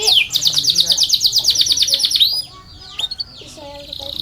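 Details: A canary's long song, used for tutoring and luring other canaries: a fast, bright, rolling trill for about two seconds, then it fades to a few scattered chirps and a faint, thin whistle.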